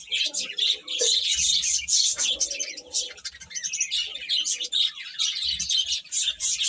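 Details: Baby chickens in a group, many chicks peeping at once in a dense, high, overlapping chorus of short chirps, with a few softer lower notes underneath.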